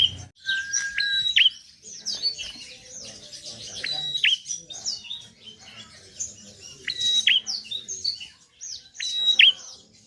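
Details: Bar-winged prinia in animated song, aimed at getting reluctant birds to sing: high chirping phrases with short flat whistles and sharp downward flicks, recurring every two to three seconds over a faint rumbling background.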